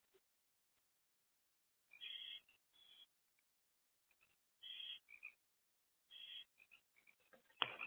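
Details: At a barn owl nest box at night in early April 2024, an adult female sits with two older young; soft scattered rasps build into louder hissy bursts, ending in a sharp knock.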